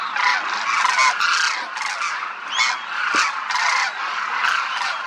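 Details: Crooning demoiselle cranes, a large flock feeding and flying in formation over a Rajasthan village sky in India. Loud overlapping croaks and rattling calls come in rapid pulses, with brief rising notes breaking through.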